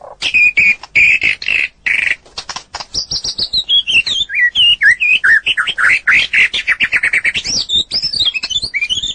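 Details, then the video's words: White-rumped shama (murai batu) singing at length as a training recording for other birds: rapid chattering notes giving way to rich, looping whistled phrases rising and falling, delivered almost without pause. "Masteran burung murai batu durasi panjang burung gacor owor owor"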